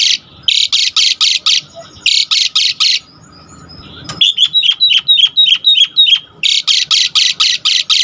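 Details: Asian pied starling in energetic full-filler song, used as a lure to excite other starlings into singing: bursts of harsh, buzzy rasping notes in rapid series, alternating with a run of short, sharp rising whistled chips.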